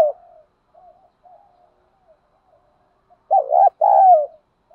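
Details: Spotted doves, male and female, cooing as a lure to prompt other doves to call. Faint, soft background coos lead into one loud low phrase: a wavering double note, then a drawn-out coo falling at the end.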